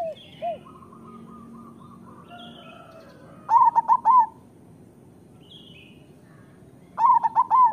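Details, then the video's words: Local zebra doves in song: soft coos and a fast purring trill first, then two loud, rapid, four-note bouncing coo phrases about three and a half seconds apart. Faint higher chirps are also heard. "Perkutut lokal gacor Suara Masteran Burung Perkutut Paling Ampuh"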